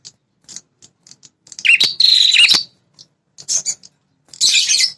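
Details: Red-headed prinia call used as a lure to make territorial males angry and respond: sparse dry ticks, then a loud buzzy, high rattling trill lasting about a second, more ticks, and a final harsh buzzy burst.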